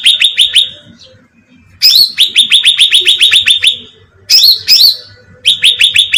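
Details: Bulbul bait call used to attract birds: bursts of rapid, bright, downslurred whistled notes, about eight to ten per burst, with short sharp upward chips, repeated three times with brief pauses between.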